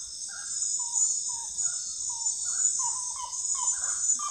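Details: Common gallinule calling in a series of brief, hollow clucks that speed up and grow louder toward the end, over a constant shrill insect buzz.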